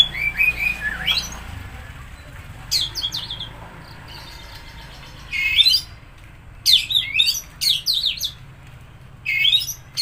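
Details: Song of an Oriental magpie-robin used to stir a stressed or non-singing bird: scattered bursts of rapid, high, sweeping whistles and chattering trills separated by short pauses, with low background rumble.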